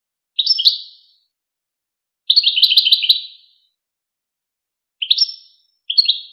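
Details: European goldfinch from the Wakr Touzgha tape meant for tutoring goldfinch chicks and hybrids. Short chirpy phrases alternate with a longer tinkling trill, and notes sweep sharply upward. Nothing else is audible.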